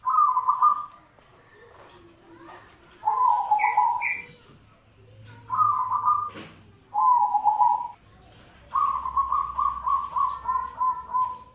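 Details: Zebra dove singing, a song valued for contests and everyday listening: five rolling, trilled cooing phrases, each around a second long, separated by short pauses. The last phrase is the longest, with a faint low hum underneath.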